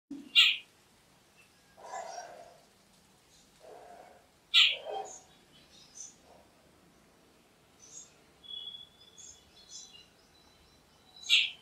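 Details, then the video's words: Jungle babbler, known in Bengali as ছাতাড়ে, gives three loud, harsh, rasping notes spaced several seconds apart, mixed with softer lower chatter and a thin whistled note from another bird. "Jungle Babbler Call"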